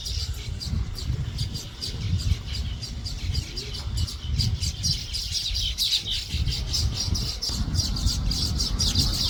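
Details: An uncaged male Finn's weaver, excited, calls to invite females to his nest: rapid, high, sizzling chirps repeated without pause, several birds calling at once, over a steady low rumble of wind or traffic.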